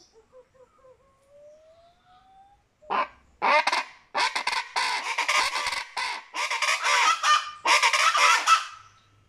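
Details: Venezuelan chachalacas (guacharaca) break into loud, harsh, raucous chatter, repeated in rapid ragged bursts for several seconds, after a few soft thin whistled notes at the start.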